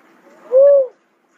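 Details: Single mellow cuckoo-dove note, a brief arched hoot lasting under half a second, clean and uncluttered.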